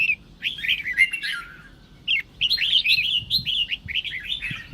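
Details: Red-whiskered bulbul song to spur other bulbuls into singing; a first warbled phrase ending in a falling slur, a pause, then a brisk chain of repeated looping whistles.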